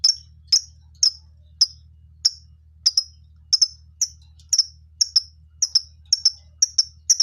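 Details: Repeated sharp, high chirps from a lovebird colony, coming roughly every half second and growing a little faster toward the end.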